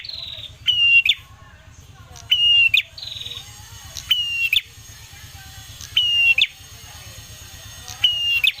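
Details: Ashy tailorbird song used as a lure to provoke birds into singing. Steady high whistles, each ending in a fast chattering burst, repeat roughly every one and a half seconds against a faint low drone.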